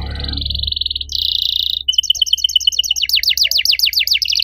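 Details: Canary singing cuit cuit in an active riwik style: a buzzy high tone, a harsh rasp, then rapid repeated chirps turning into fast downward-sweeping notes, with a low hum beneath.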